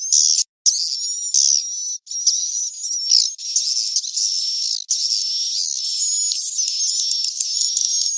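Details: Lure recording of swiftlets' roosting sound for swiftlet farming, from caves: steady high chattering twitter with long thin whistles layered throughout, broken by short silent gaps.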